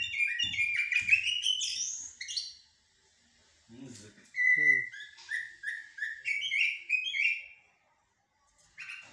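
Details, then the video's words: Common blackbird delivering mourning and military styled song: rich whistled phrases that rise into high twittering, then a run of repeated fluted notes. A brief human voice and soft thuds are heard in the middle. "طائر الجحمومية أو الشحرور بتغاريد حدادية و عسكرية"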